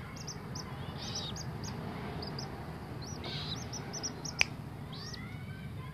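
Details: A very tame common moorhen chick gives rapid, thin, very high peeps, several per second, over a steady low hum and one sharp click.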